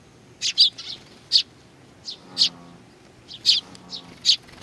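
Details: Sparrows gathering to be fed, Tenmangu, Nakanoshima, 21 June 2020: clipped high chirps, some in quick doubles, spaced unevenly, with a faint low droning tone in the background.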